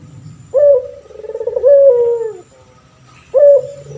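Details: A male pelung turtle dove, used for training other birds, gives one full coo: a sharp rising note, a wavering middle and a long downward-sliding tone, then starts again.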